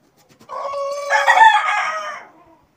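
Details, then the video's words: Red Desi rooster, drinking water beside a young black hen, suddenly lets out one loud crow of about two seconds: a rich, harmonic call that rises into a strong middle section and then fades away, with quiet surroundings. "Unexpected Rooster Roar"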